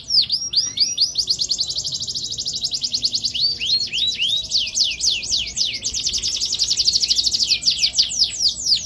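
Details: Canary singing 'gacor' with ornate 'cengkok mewah' phrasing: a continuous high, rapid rolling trill of down-slurred whistles and buzzy repeated notes, shifting tempo and pattern across nearly nine seconds without pause.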